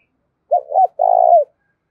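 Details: Spotted dove kept as a decoy to draw in wild doves, calling in the giọng thổ style: a single phrase of two quick hollow hoots followed by a drawn-out, burry coo that falls slightly at the end.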